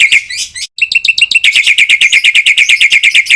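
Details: Black-winged myna training song used to get other mynas responding, a loud fast series of harsh chattering notes repeated about three times a second after a brief pause, with a few higher scratchy phrases at the start.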